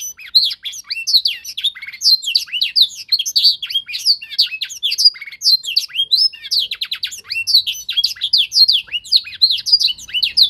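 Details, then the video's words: Young canary undergoing singing training to imitate a master song: a long, unbroken flow of quick high twitters, swooping whistles and buzzy trills. "Proses pemasteran kenari paud (singing training season)"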